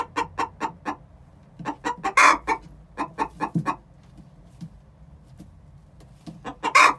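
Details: Two six-month-old chickens singing the egg song before laying an egg: bursts of rapid clucking with a loud, rough, drawn-out squawk, a quieter stretch, then a final long squawk.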